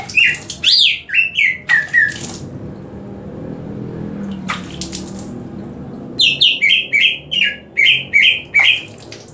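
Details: Green leafbird, being sprayed with water, gives bright, rapid whistled phrases of repeated downslurred notes in two bursts separated by a brief pause, with a soft splash of water.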